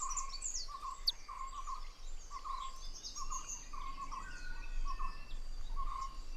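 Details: Oriental dwarf kingfisher parents and four newly fledged chicks exchanging contact calls to keep track of each other in the Western Ghats, India, during the monsoon: thin, shrill high notes, steady mid-pitched chirps about every second, and a busy forest chorus.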